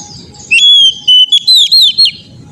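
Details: Oriental magpie-robin training song for untrained birds: one rich phrase of a long clear whistle followed by quick looping, slurred notes, set against a faint steady hum and soft low rumble.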